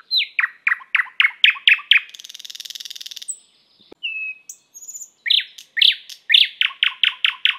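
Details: Song of a thrush nightingale (Luscinia luscinia): a rapid run of loud, down-slurred chock notes, then a dense buzzing rattle, a brief pause and a thin whistle, before more hard repeated notes resume.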